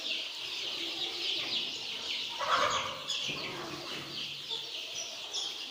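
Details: Many young chicks on a poultry farm, peeping continuously in a dense, high-pitched chorus of overlapping shrill cheeps with no pauses, and a brief louder call near the middle.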